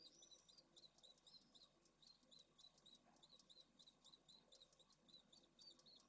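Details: At a Pallid swift nest colony in Jerez de la Frontera, Spain, in 2022, with eggs and large chicks: fast, unbroken high-pitched twittering, notes tumbling several per second throughout, with a noisy low hum beneath.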